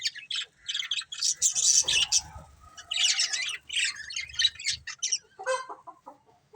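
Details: A colourful budgerigar family chirps in busy, scratchy, high warbling bursts with squeaky notes, ending in a few lower, softer chirps, with faint low rumbling underneath.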